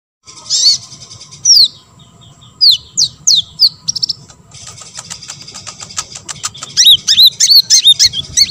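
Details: Olive-backed sunbird song, played to make other sunbirds answer and sing: high, thin chirps and sharply slurred notes, scattered then quickening into a lively twittering run near the end, over a low engine-like rumble.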